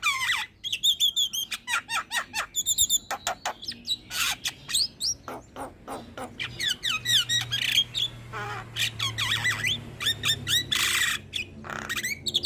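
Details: Energetic Javan myna song, said to be heard day and night and used as training and lure material for other birds: a rapid stream of whistles, trills and grating rasps, densely packed with barely a pause.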